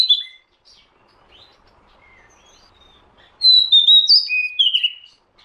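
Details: Oriental magpie-robin sound used as a lure. After about three seconds of near silence, a bright burst of clear whistled notes and slurred, sliding phrases begins, loud and varied, ending abruptly.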